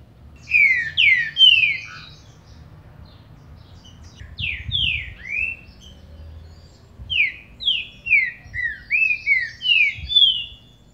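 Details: Green-winged saltator song, played to excite a captive bird: three clear falling whistled slurs, a pause, two more, then a quick run of about seven descending whistles, over a low steady hum.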